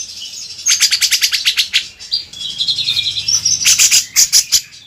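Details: Grey-cheeked bulbul (cucak jenggot) used as a vocal master recording: a rapid run of sharp, high chattering notes, a short wavering whistled phrase, then another fast burst of chatter.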